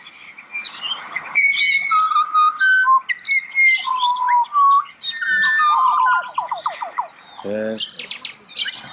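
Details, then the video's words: Butcherbirds singing rich, fluty whistles, a varied run of clear sustained notes and quick rising slurs, with a brief harsh, buzzy phrase near the end. "Butcher Birds Singing / Pajaros Cantores"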